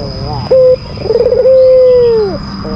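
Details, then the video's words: White albino Barbary dove giving a lure call meant to provoke a rival: a short flat coo, then a stuttering trill running into a long steady coo that drops away at the end, with a constant high electronic whine behind. "Pancingan bikin emosi lawan, Albino Gacor !!!"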